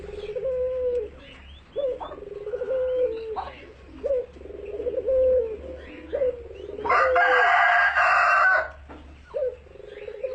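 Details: A turtle dove raised in captivity cooing energetically as it bobs its head, giving deep rolling coo phrases about every two seconds, with a steady low hum and a loud rasping noise burst toward the end.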